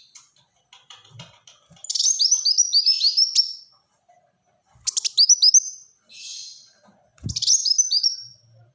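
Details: Rapid Black-throated sunbird song in three dense bursts of high descending chirped notes, each run tumbling quickly, with quiet gaps and a faint thump.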